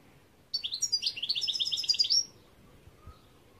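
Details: European goldfinch delivering a rapid, evenly rattled series of high tinkling notes for under two seconds, then falling silent apart from a faint low knock.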